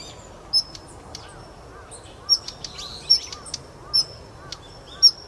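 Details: Male and female Daurian redstarts call in three types. Here, piercing high whistled notes alternate with quick clicking taps, roughly every second, clear above a quiet noisy background.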